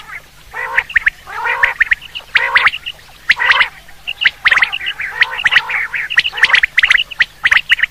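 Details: Quail (batair) calling for quail hunting, giving rough, harmonic squawking notes in quick irregular bursts, about one a second, with a faint steady hum underneath.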